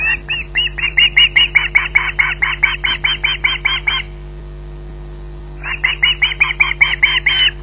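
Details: Squawking osprey at Loch Garten waiting for food, giving a long rapid series of shrill, harsh notes, then a pause of over a second before another quick burst of the same squeals.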